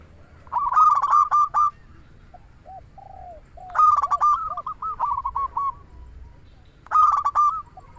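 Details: Local zebra dove phrases used as a lure: crisp stuttered runs of five or six bright notes, then a spell of soft descending coos, with the next loud run about three seconds later.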